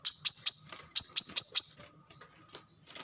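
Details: Plain-throated sunbird, a training recording for caged songbirds: a quick string of high, piercing notes in two short groups, followed by a few faint, thin whistles.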